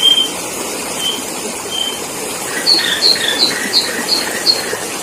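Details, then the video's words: Sooty-headed bulbul used as a trapping lure. A few long, high whistles lead into a rapid series of sharp chirps repeated roughly three times a second, with broad hiss underneath. "masteran burung kutilang pikat"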